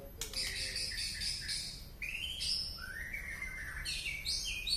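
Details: Strange-sounding song of a white-rumped shama from Penaron, East Aceh: high buzzy notes, then long rising whistles climbing in steps, with hiss in the background.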